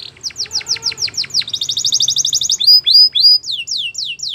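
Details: Singing canary delivering a varied phrase: a run of steep descending chirps, then a dense rapid rattle-like trill, followed by clear whistled notes sweeping down, each repeated in quick series.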